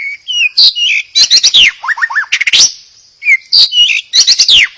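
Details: White-rumped shama singing to prompt other birds to sing: varied whistled phrases, rising and falling slurs and quick sharp sweeps, with a short run of three descending notes midway.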